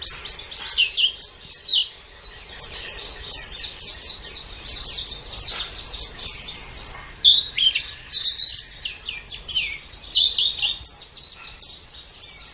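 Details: White-eye master song for training cage birds: dense, continuous high twittering of fast down-slurred notes, almost without pause, over faint background hiss.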